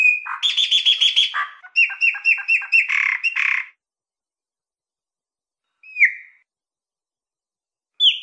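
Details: Chopi blackbird in the canto mateiro mineiro style from Minas Gerais: a fast rattling series of harsh repeated notes, then a run of paired whistles, a long pause, and two lone down-slurred whistles.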